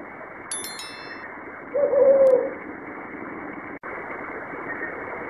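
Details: A brown fish owl at night gives one low, wavering hooted note lasting under a second over steady hiss, after a few brief metallic chimes.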